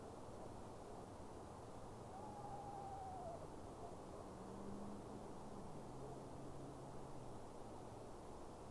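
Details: Eastern screech owl calling in the dark late at night, seemingly seeking a spring mate during duck season, filmed on a Sony A9: one faint quavering whinny sliding gently downward over about a second, with low steady hum beneath.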